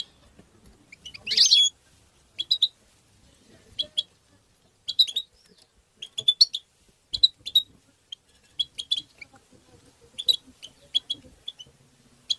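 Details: Chirping 'batbata' calls of a European goldfinch: clipped, high ticking notes in small clusters every second or so, with one louder, buzzier burst near the start.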